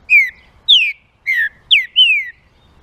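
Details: [['Whistled song of a green-winged saltator played to stimulate other saltators: five clear notes gliding downward, evenly spaced, the last a longer slur, in quiet surroundings.']]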